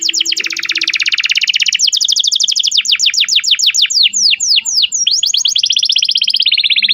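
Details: Atlantic canary song used as a lure to teach a young canary to sing: long, loud, continuous rapid trills of high chirping notes, shifting between buzzy rolls and clear sweeping whistles repeated several times per second.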